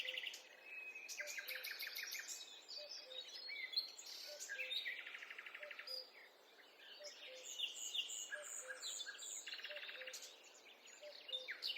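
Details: A long stretch of woodland birdsong: trills, rattles and bright chirps from several birds overlap throughout, while a soft low two-note whistle repeats steadily every second or so.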